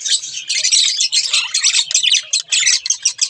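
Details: Loud, dense budgerigar chatter from a pet pair, fast scratchy warbles and sharp high chirps running almost without a break.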